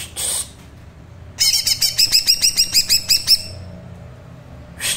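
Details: Green leafbird singing 'trotol tipis', a thin trilling song style played so birds learn it: a rapid run of about a dozen sharp, high, evenly spaced notes, flanked by short hissy bursts at the start and end.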